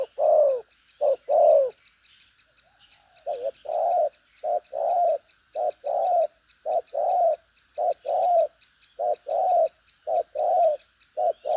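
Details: Spotted dove of the 'đồng pha chân cua' type, a strong cooer with a lively style, pushing its coos with a trailing flourish. Short-long paired coos repeat about once a second after a brief pause, over a steady high-pitched buzz.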